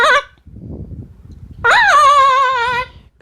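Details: A pet female Amazon parrot indoors gives a loud, nasal, sustained honking squawk lasting over a second, rich and slightly wavering, after a shorter squawk, with the owner speaking.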